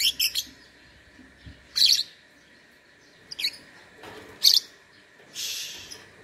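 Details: Lovebird in an online singing contest; sharp shrill chirps in short bursts separated by gaps of one to two seconds, ending with a hissing buzzy note.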